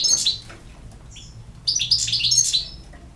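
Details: Rapid, sparkling twitter from a European goldfinch: a brief chirp, a short whistled note, then a dense burst of jangling high notes.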